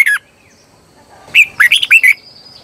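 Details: Red-whiskered bulbul singing as a decoy for wild birds: a single short note, a pause, then a quick run of bright, twisting whistled notes.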